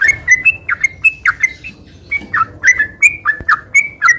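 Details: Sooty-headed bulbul in continuous 'gacor ngeropel' singing, a style used to rouse molting birds: bright whistled notes near two kilohertz, some sliding down, delivered about three per second with a short pause midway, faint background hum.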